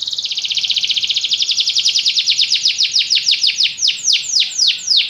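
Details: Canary song: a long rapid trill of high notes that gradually slows into wider, separated downward sweeps, sounding like an accelerating-then-loosening rolling phrase over about five seconds.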